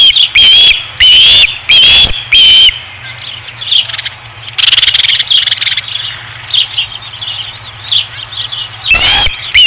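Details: Osprey at a ranch nest, August 2016: four loud shrill whistles in quick succession, then a long spell of softer, scattered chirping notes before a final loud whistle.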